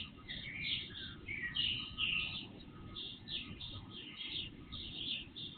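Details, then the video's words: Birds singing before sunrise into early morning, recorded by a surveillance camera with volume boosted threefold: a steady run of high, twittering chirps and short whistled phrases that barely pause, over a low rumbling hum. "Night Birds Song"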